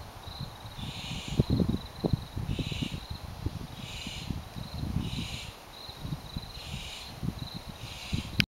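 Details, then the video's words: Barn owls calling from nest boxes in a vineyard west of Healdsburg, California, Dry Creek Valley, June 8, 2011, give breathy, hissing rasps about once a second, over a thin steady insect-like whine and low wind rumble. "Barn Owls calling from owl boxes"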